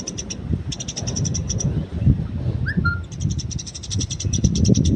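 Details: Eurasian tree sparrow in the wild, recorded for bird training: short bursts of fast, high chirps separated by pauses, with one brief lower whistled note from another bird midway and constant low-pitched background rumble.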